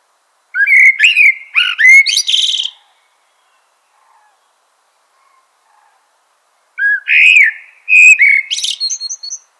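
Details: Two song phrases from a common blackbird, several seconds apart. Rich warbled notes slide up and down, then break into a thin, scratchy flourish at the end of each phrase.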